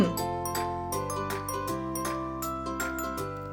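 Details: Gentle tuned-percussion music with bright chiming, glockenspiel-like notes over a steady low accompaniment; no animal voice is heard.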